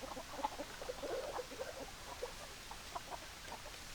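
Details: Hens and roosters of a chicken flock clucking softly, a cluster of low, short notes in the first two seconds thinning to scattered single clucks over a constant noisy background.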